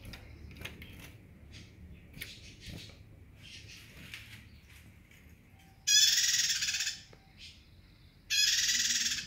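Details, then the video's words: After several seconds of faint scattered chirps, a bar-winged prinia bursts into two loud, buzzy pulsed trills about two seconds apart, amid a low background hum. "Prenjak gacor"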